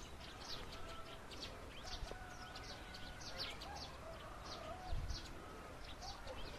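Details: Plum-headed parakeet during mating gives short, shrill, high notes, repeated roughly every half second over a low rumble of background noise and faint steady tones.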